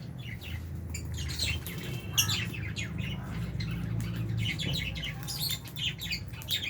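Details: Albino and Fisher's lovebirds sharing an aviary with budgies at feeding time give scattered high, sharp chirps and short squeaky calls in quick bursts over a steady low hum.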